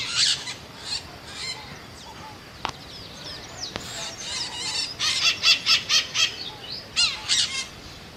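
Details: Scaly-headed parrot with a few soft scattered notes and two faint clicks, followed by a loud rhythmic series of rough squawks and a final pair of calls.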